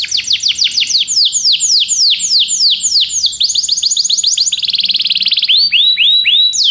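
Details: Belgian canary singing to encourage other canaries to sing: continuous bright, downward-sweeping whistles at a steady fast pace, shifting into a dense buzzy run and finishing with fuller rounded whistled phrases.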